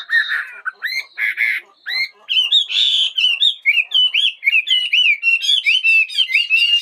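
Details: Morning birdsong starting with harsh buzzy chirps, then a lively run of quick hooked whistles and twittering notes repeated several times a second.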